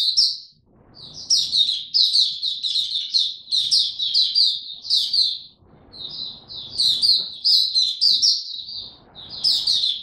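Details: Oriental white-eye building up form with buka tiong aw singing, dated 03-01-2022. Rapid strings of bright, high twittering notes come in long bursts separated by short gaps, with soft background clatter during pauses.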